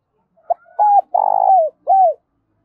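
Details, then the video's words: Spotted dove calling, a quick cooing phrase: brief soft note, an arched coo, a long rough purring coo that falls at its end, then one more downward-curving coo, in a quiet setting. "cu gáy thúc và gáy gọi/ cu gay kich boi nhanh noi gù"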